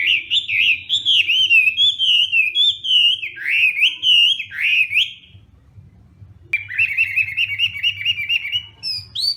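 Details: Hwamei singing its morning song during voice training, a fighting-style bird: loud rich whistled phrases at fast repeated wavering notes, a brief pause, then a new series of rapid rising-falling whistles; faint low hum beneath.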